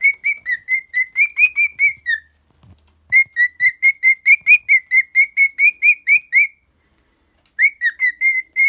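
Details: Pet cockatiel singing a run of clear whistled notes, each slightly rising then falling, about two per second, in three bursts separated by short pauses.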